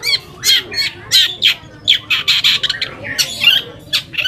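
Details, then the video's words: Long-tailed shrike song aimed at making other shrikes respond angrily: loud scratchy bursts with ringing whistled overtones, irregular phrases separated by brief gaps. "PANCINGAN AMPUH BURUNG CENDET AGAR CEPAT GACOR - cendet manapun langsung nyaut dan emosi"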